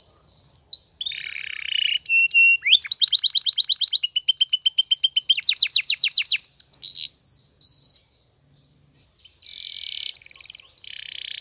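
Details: Spanish Timbrado canary singing to train other canaries: varied rolling trills, fast pulsed rattles and clear sliding whistles, with a short silent gap before a buzzy trill returns.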